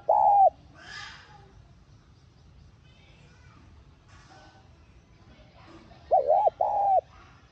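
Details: Spotted dove calling to lure a decoy bird into song: one rounded coo at the start, a faint scratchy sound, several seconds of near silence, then a wavering double coo and a longer arched coo.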